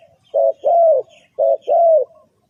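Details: Spotted dove call played as a lure for bird trapping: two low cooing phrases, each a short coo followed by a longer, slightly falling drawn-out coo, separated by a brief pause.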